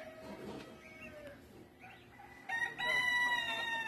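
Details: Roosters crowing at dawn as daylight breaks in Puruándiro, countryside: a loud harmonic crow arrives in the final second and a half after quiet rural ambience, with faint distant calls earlier.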